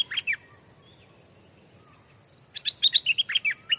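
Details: Caged Stripe-throated Bulbul being trained as a decoy in a durian orchard near a fig tree. It gives a brief pair of bright notes, then a quick jumbled burst of about ten rising and falling whistles, over a thin, steady high whine.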